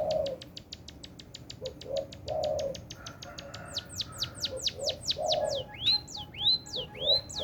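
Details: Munia gives a rapid run of sharp dry ticks that shift into high, quickly descending chirps repeated about twice a second, while low, soft cooing sounds recur underneath throughout.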